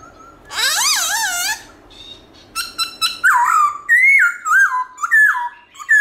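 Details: Morning forest-style song with changing voice from a Black-throated laughingthrush. A rough, wavering drawn-out note opens, then a few clipped notes lead into repeated loud whistled phrases that rise and dip, about one and a half per second.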